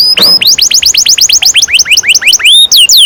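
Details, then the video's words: Canary song used as a training lure for young canaries, a long rolling 'ngerol panjang' style: rapid, evenly repeated bright whistled notes that swoop downward, ending with a few longer high rising and falling whistles. "Kenari gacor NGEROL PANJANG cocok untuk PANCINGAN KENARI PAUD"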